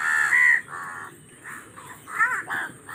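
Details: Raven giving a run of harsh, hoarse caws, about five short calls spread over three seconds with brief pauses between them, some rising then falling in pitch; faint background murmur.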